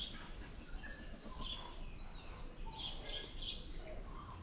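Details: Tui from Auckland, New Zealand, giving high, thin whistled notes, several repeated in quick succession, plus lower tonal notes, over steady low background noise.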